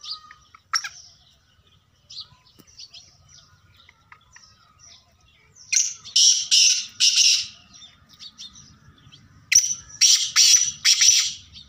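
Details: Black francolin giving two bursts of harsh, rasping, grating notes, about four strident notes packed into roughly two seconds each, separated by a pause of a few seconds; faint thin chirps and scattered clicks before the first burst.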